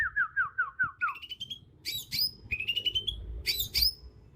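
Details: Bornean green magpie, a young bird in the wild with black spots emerging on head and neck: fast descending whistled notes, then rising thin whistles alternating with harsh, high buzzy bursts.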